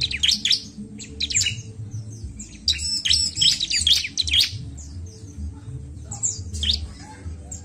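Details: Bar-winged prinia, for stimulating birds, singing sharp chirps that build into a loud, fast, high twitter around the third second, then fade to scattered notes, over a continuous low hum.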